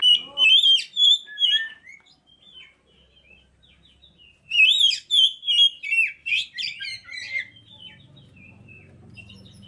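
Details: Oriental magpie-robin song used as bait to provoke other birds to sing: two bursts of loud, varied whistled and chirping phrases in quick succession, separated by a short pause, ending in a quiet low hum.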